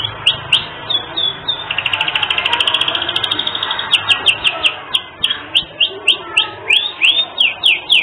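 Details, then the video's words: Canary in energetic, full song, recorded as a tutor track for training other songbirds and praised for its unique melodic variations: rapid high rolling trills, then a run of sharp rising whistled notes repeated about three times a second. "Masteran Kenari 3 Menit Langsung Gacor"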